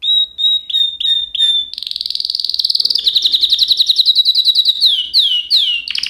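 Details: Canary: a few short clear whistles, then a buzzy high trill that turns into rapid pulsed notes, finishing with loud swooping slurs.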